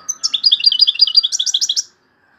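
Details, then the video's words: A European goldfinch sings loudly, a fast, liquid run of tinkling notes and twittering trills for nearly two seconds, high and bright, with a faint steady tone underneath. "تغريد مقنين عالي"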